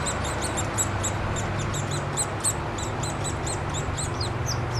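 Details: Downy Woodpecker nestlings begging during a noisy feeding at the nest, a female parent later joined by the male, Wolfe Park, Columbus, Ohio, 26 May 2013; rapid high thin chirps tumble over one another above a steady low hum.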